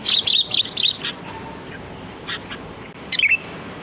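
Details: Lure sound of a free-living sooty-headed bulbul: four quick, lively chirped notes in a row, a quiet pause, then one last bright twittering note.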